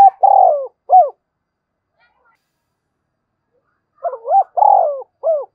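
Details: Spotted dove calling to goad a rival, giving two three-part coo phrases about four seconds apart, each a rough opening note, a long full coo, then a brief dropping note, with silence between.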